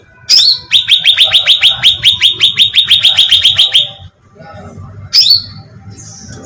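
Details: Bulbul, known locally as cucak ranting, used as a bait sound to lure birds; a high whistled note opens a long rapid chatter of about twenty-five clipped, down-slurred notes, then a pause and one more sharp note.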